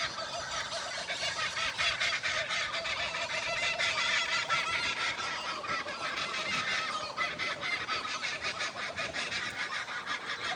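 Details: Laughing kookaburras heard on a morning walk in Australia cackle loudly and continuously, harsh chuckling notes tumbling over one another in a raucous rolling chorus with no pauses.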